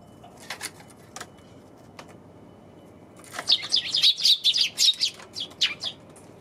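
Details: Sparrows on January 27th: after faint scattered chirps, a dense burst of rapid high chirping begins, notes tumbling quickly over a steady low background rumble.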